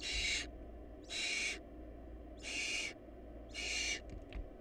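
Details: Barn owl family short of food at the nest. Four loud noisy hissing screeches come about one per second, followed by faint clicks at the end, over a steady low hum.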